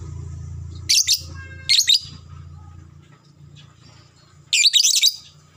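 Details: Lure sound to make lovebirds start their long chatter: three harsh, high, fluttering chirp bursts, two close together, then a pause before the third, over a low hum.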